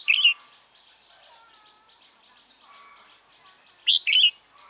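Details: Caged decoy Red-whiskered bulbul, Mí lửa type, used to draw wild birds into a trap, 28 February 2017; a brief bright warbled burst starts the clip and two more end it, with quiet whistles and chatter from other birds between.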